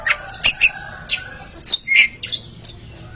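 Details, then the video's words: Two Oriental magpie-robins in a singing contest: scattered short whistled notes and brief chirps with gaps between them, fainter than the full song, over a soft low background hum. "Sepasang kacer sedang beradu kicauan"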